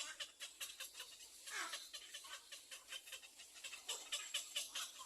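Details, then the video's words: Little egret chicks at the nest begging their mother for food: harsh, raspy, hissing bursts repeated rapidly, several per second, overlapping and uneven in loudness. "BABY LITTLE EGRE REQUIRES MOTHER TO FEED"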